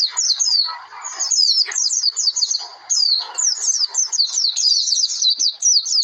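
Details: Oriental white-eye singing a lure song meant to make other birds sing: rapid, high twittering run of short slurred whistles, continuous and chattering, with faint lower rustling notes beneath.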